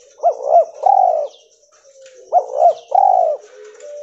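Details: Spotted dove of a cotton-white albino mutation calling twice, each phrase two short bouncing notes followed by a long low falling coo, with a faint continuous high-pitched hum.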